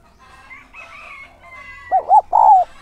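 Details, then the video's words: Decoy spotted dove with a 'son' voice, calling to lure wild doves: after soft higher bird notes and a thin whistle, one loud low coo phrase of two short arched notes and a longer, falling third note. "Chim cu gáy mồi giọng SON chuẩn THÚC và GÁY GỌI kích bổi nhanh nổi hiệu quả"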